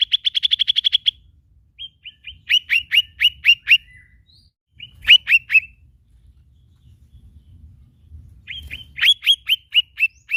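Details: Lesser green leafbird opens with a fast, even trill of high notes. Groups of crisp, downward-sliding chirps follow, separated by short pauses, over a quiet background.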